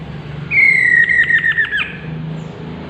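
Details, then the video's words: Chestnut-capped laughingthrush producing one long, slightly descending whistled note that breaks into a quick stuttering series of pulses near its end, over faint low background hum. "chestnut capped laughingthrush bird"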